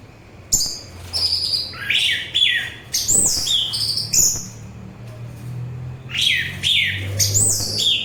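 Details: Soothing orange-headed thrush song, used as therapy and to draw in thrushes and other birds: varied whistled phrases that swoop down into buzzy notes, nearly continuous with brief pauses, over a faint low hum.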